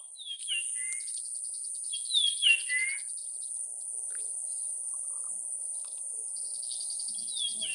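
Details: Japanese grosbeak whistling two close phrases of falling, slurred notes near the start, then a quieter phrase at the end, over a continuous shrill hiss and faint low chatter.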